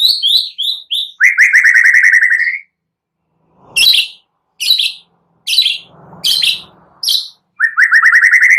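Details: Vigorous white-rumped shama song meant to trigger reluctant birds to sing again: quick bright notes, a rapid rising chirp trill, then separate harsh bursts with pauses before the trill returns.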